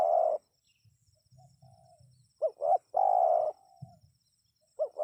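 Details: Spotted dove call aimed at drawing a response from wild birds. A croon finishes, then two hooked coos lead into a long steady croon, and a new coo pair starts at the end. Low rumbling sounds fill the pauses.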